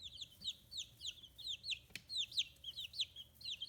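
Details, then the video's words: Free-range chicks aged fifteen days, with feathers emerging, in Kitahiroshima, Japan. A steady stream of piercing, falling chirps from several birds, with one brief dull knock midway. "Chicks Chirping Sounds"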